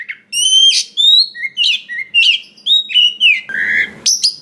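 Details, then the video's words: Kacer, the Oriental magpie-robin, caught from the forest and singing a varied, phrase-rich song meant to provoke other kacer: quick series of bright whistled notes about twice a second, then a short buzzy phrase and a high ending. "SUARA BURUNG KACER ISIAN BANYAK !! PANCINGAN UNTUK BURUNG KACER BAHAN HUTAN || VOICE OF KACER"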